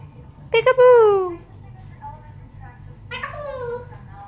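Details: Pet African grey hen imitating peek-a-boo, heard as pack-a-boo: a clipped double syllable sliding into a long falling vowel, a pause, then a shorter falling phrase, all in a rich, voice-like tone.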